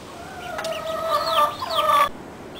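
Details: Chicken in a backyard flock: a drawn-out, harmonic, wavering call lasting about a second and a half, with a higher sliding note laid over it, ending abruptly.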